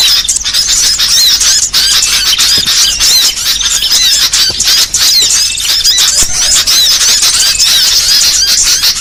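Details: Small-bird lure sound used for trapping: many birds twittering together in an unbroken, shrill mass of short squeaky chirps and quick whistled slurs, with no pauses and no other sounds.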